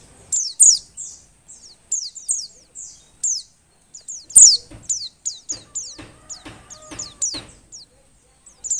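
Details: Breeding-condition female Oriental white-eye, calling to encourage males that are slow to sing: rapid runs of very high, thin, falling chirps, with a denser sequence in the middle and brief quiet gaps.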